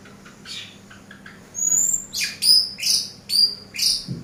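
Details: Eurasian tree sparrow song used as a master recording for training birds: a quiet start with faint notes, then a run of sharp, high chirps with bright tonal peaks, roughly one every half second.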